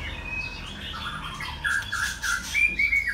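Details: Captive male white-rumped shama, a model bird kept for its song, delivering short fluty whistled notes in quick succession, ending with higher ringing whistles; steady background hiss.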